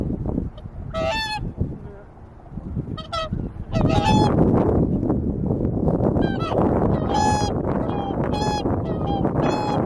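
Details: Swans resting at Lake Utonai in Tomakomai, Hokkaido, Japan, giving loud nasal honking calls with rich harmonics, several birds calling in bursts and overlapping, over a steady low rumble of background noise.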